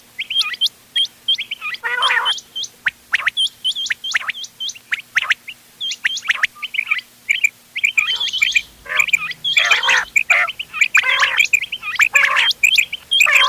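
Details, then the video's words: Mixed quail calls from ghonge wal, doghla and changa birds for hunting, 31 October 2025: dense quick hooked whistles at first, turning to thicker harsh bursts and crowded chirping near the end. "گھونگے وال دوغلا چنگا بٹیروں کی مکس آواز quail bird sounds for hunting bater ki awaaz"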